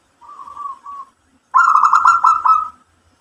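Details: A local zebra dove in full song gives a soft mid-pitched coo phrase, a brief pause, then a louder rolling, stuttering coo lasting about a second.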